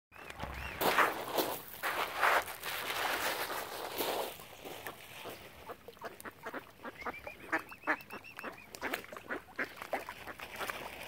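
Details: Ducks gathered around a swan family on Lough Neagh at Oxford Island, Ireland, give a dense chorus of harsh, nasal quacks. Several birds call at once in irregular bursts, with a rising whistled note near the end.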